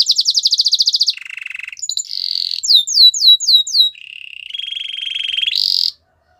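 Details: Canary song used for training: a fast high rattle, a lower churr, a bright flat trill, a tour of looping upswept whistles, then another steady trill ending in a high buzzy burst.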